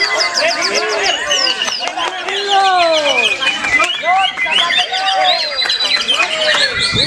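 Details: White-rumped shama in full, energetic song: a dense, continuous run of varied whistles, rich downslurred and rising notes, rapid trills and sharp chirps layered without pause, loud throughout.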